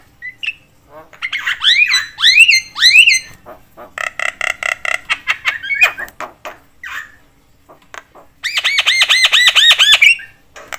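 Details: Talkative Javan myna (jalak kebo) calling in a way said to excite other mynas: arched, whistled-chattering notes, a long run of rapid harsh rasps, then a burst of fast looping repeated notes.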